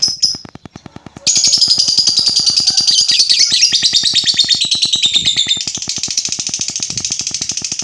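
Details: Lovebird used to provoke other lovebirds: one short note, a pause, then a long unbroken rattling, buzzy trill lasting over six seconds, above a steady regular ticking.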